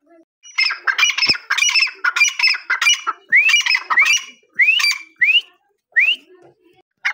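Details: Partridge (teetar) giving harsh, grating squawks in a rapid burst, then a run of rising, upslurred whistled notes about once every second.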